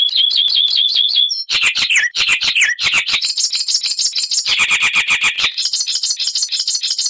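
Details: Song of an icterine warbler (Hippolais icterina), loud and varied: a quick series of repeated high whistled slurs, then dense chattering bursts, grating buzzes and rapid high trills running without pause.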